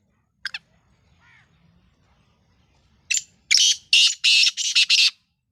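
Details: Black francolin, a Sindhi bird known locally as kala teetar or lal potiya, giving a burst of loud, harsh, grating notes in quick succession near the end after a quiet start with a few faint chirps.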